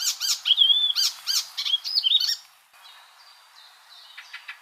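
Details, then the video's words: Icterine warbler song: a fast, varied jumble of high chattering notes, harsh buzzes and clear whistled phrases, the second half quieter and thinner. "icterine warbler"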